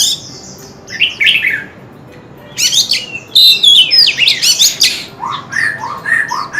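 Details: Oriental magpie-robin singing: bursts of clear whistled and buzzy notes with sweeping slides, a quiet gap, then a run of dense varied phrases ending in lower repeated whistles.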